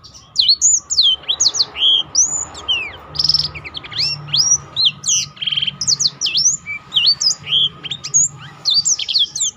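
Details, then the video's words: Energetic Black-throated canary song used for therapy and tutoring of other songbirds: quick downslurred high whistles in a steady stream of short phrases, some buzzy trilled notes mixed in, over a low background hum. "burung blackthrout lain pun ikut tergoda berbunyi."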